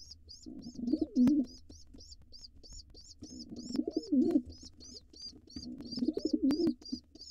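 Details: Intruder male pigeon at a wild nest box, attacking the nestlings to claim it. Three swelling bouts of low, rumbling cooing sound over a constant rapid string of shrill, thin peeps.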